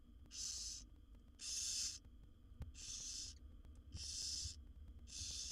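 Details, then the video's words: Seven wild barn owl chicks in a nest box hiss for food during the mother's feeding visit; five loud, airy snoring rasps at an uneven pace, some longer than others, with light thumps in between. "Barn Owl Mother's Amazing Feeding Routine with Her 7 Babies"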